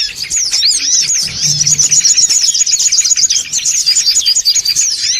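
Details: Noisy songon otong calling for pulling birds in. Quick, shrill arched chirps tumble over one another in a continuous high chatter, with a soft low hum in the first half.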